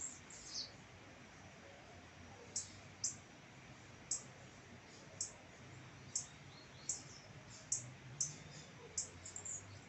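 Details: Blue-black grassquit (tiziu) singing: brief, sharp, very high buzzy notes, each a quick downslurred burst, repeated about every half second to second over a steady faint hiss.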